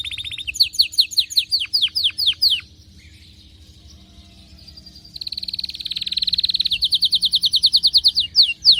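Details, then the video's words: Excited canary delivers rapid descending whistled notes, pauses almost silent, then resumes with a dense buzzy trill building into quick repeated chirps. "غناء كناري هايج ومولللعCanario -canary"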